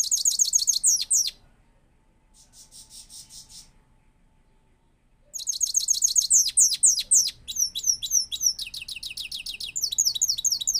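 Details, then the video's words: Rolling song of a newly kept goldfinch associated with Parachinar, delivered powerfully: loud high twitter, a softer buzzy phrase after a gap, then a long unbroken run of rapid, sharp, descending chirps and trills. "power full singing gold finch / rolling of my new birds"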